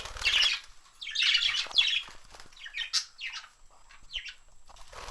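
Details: Budgerigars (Melopsittacus undulatus) in a busy flock, a little frightened by a phone, chattering in a stream of high, scratchy warbles and quick chirps.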